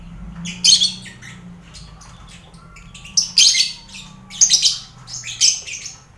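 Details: Colony-kept lovebirds mixed with finches and quail, noisy calling used to train contest birds' nerves; loud, grating screeches come in bursts, with a quiet gap in the middle, then four rapid harsh calls.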